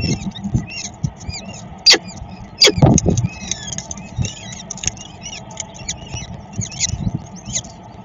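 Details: At a Szczecin peregrine falcon nest during feeding, 22.04.2021: rapid series of short curved chipping notes repeated many times a second, with knocks and scraping and constant low traffic hum.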